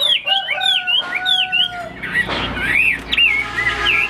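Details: Caged Chinese hwamei, a fighting-style bird shown fanning its wings, singing loud slurred whistles and looping notes between mid and high pitch, with a steady low background hum and some broad noise midway.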